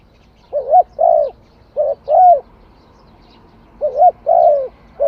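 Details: Spotted dove singing: paired coos, each a short note followed by a longer, slightly falling one, repeated in three phrases at roughly two-second intervals against a quiet background.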